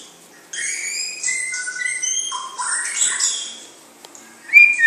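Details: White-rumped shama from a champion bloodline singing a varied run of clear whistled phrases, high sweeping notes and lower slurred whistles for about three and a half seconds, a short pause, then a sharp bright burst at the end.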